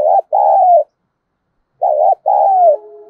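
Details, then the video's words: Decoy spotted dove cooing to attract wild birds, giọng thổ voice: two low phrases, each a short pulsed note then a long even coo tailing downward, with a pause between them. "Chim Cu Mồi/ cu gay kich boi nhanh noi gù hiệu quả, kích rất nhạy, bổi nghe là gáy"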